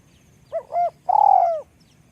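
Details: One spotted dove call from a bird said to have a small voice, with two quick mellow notes leading into a prolonged, vibrating coo that falls away.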